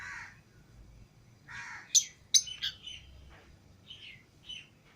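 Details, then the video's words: Pet lovebirds, green Fischer's and lutino pairs out of the cage together, give scattered sharp high chirps and short squeaky notes between softer rasping sounds, fairly quiet overall. "Love Birds Singing And Chirping Sounds"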